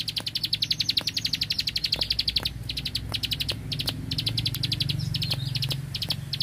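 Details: Prinia from the rice fields giving a fast, sustained rattle of high clicks that breaks into shorter bursts, a steady low hum running through the background.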